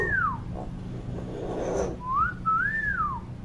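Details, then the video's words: A chatty common hill myna gives clear, smooth whistles: one falling slur, a pause, then a rising note joined to an arched, falling whistle. A soft hum sits in the background. "BURUNG BEO GACOR & CEREWET"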